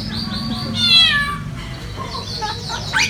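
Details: African grey parrot among other birds at a restaurant in Meteora, Greece, imitating a cat: a very loud, drawn-out cat-like meow with a wavering tone, followed by shorter squeaky notes and other bird chatter.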